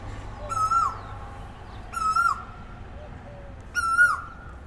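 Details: Asian koel in the morning giving three strong, clear calls roughly 1.5 seconds apart, each a ringing note that holds level and then drops away, over faint low cooing and a soft rumble.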